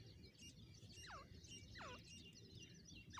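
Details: Female grey francolin calling in the wild in Pakistan: repeated loud descending whistled notes, each sweeping down sharply then hooking up, about every 0.8 seconds, over busy background chirping of other birds and low rumble.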